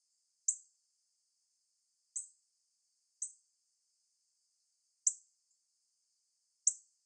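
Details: A female northern cardinal in a tree, calling for a mate, gives sharp, high metallic chips spaced irregularly a second or two apart.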